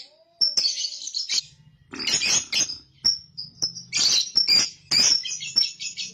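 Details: Young lovebird recorded as a lure for ngekek chattering: short whistled notes mixed with harsh, rasping chatter bursts, over a faint low hum.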